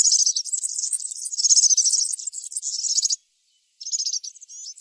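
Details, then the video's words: A European serin in the wild sings a very high, fast, jingling trill of sizzling notes for about three seconds, pauses briefly, then starts again. "طائر البسبوس السورا في الطبيعة_serin cini dans la nature"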